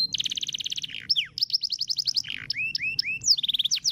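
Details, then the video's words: Masteran song from a caged canary with long rolls, used to train other birds: fast rattling trill, descending slurs, quick repeated rising notes and a closing trill, over a low background hum. "MASTERAN KENARI ROOL PANJANG"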